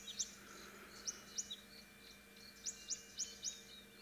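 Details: Southern African bush in late November: quite distant European bee-eaters give short, high, liquid chirps in loose pairs and singles, about seven in four seconds, over a faint steady hum; European bee-eater.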